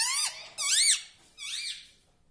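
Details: Talking pet parrot producing three squeaky, arched syllables, the first loudest, each sweeping up and falling away, with a short pause between them.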